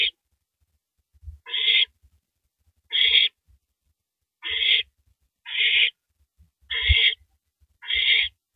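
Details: Owl shredding and swallowing a large rabbit at 3:33 AM on April 9, 2012; harsh, raspy screeching notes of about half a second, repeated roughly every second and a half, with soft low thumps and rustling between.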